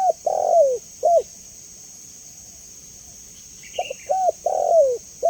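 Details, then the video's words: Spotted dove, clear call played to train and lure other doves: two-part phrase of a short coo and a long falling coo, repeated after a pause. A brief higher chirp from another bird over a steady hiss. "Suara Jernih Burung Tekukur Paling Disukai Dan Cepat Direspon Tekukur"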